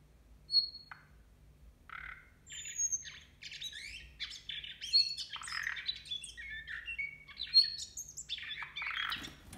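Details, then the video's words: Quieter, more distant nightingale song at New Year: a steady jumble of chirps, whistles and clicks over a low hum, with a few louder pure whistled notes. "Соловей поёт на новый год"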